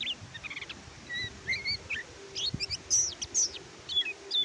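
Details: Oriental white-eye (kecial kuning) singing as a tutor for quiet caged birds: varied high chirps, short level whistles and upslurred notes in irregular phrases, with faint low background noise.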